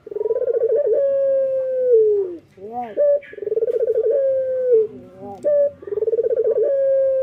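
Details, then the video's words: Singing male local Barbary dove at morning time: repeated phrases of trilled, pulsing cooing that flow into long, slightly falling drawn notes, broken by short curved chuckling notes between phrases. "SUARA BURUNG PUTER LOKAL JANTAN GACOR PAGI HARI MENYAMBUT REZEKI"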